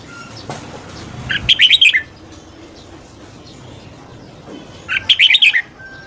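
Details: Red-whiskered bulbul singing in the morning to spur rivals into song: two loud, rapid chirruping phrases of five or six notes each, separated by about three and a half seconds of faint background hiss.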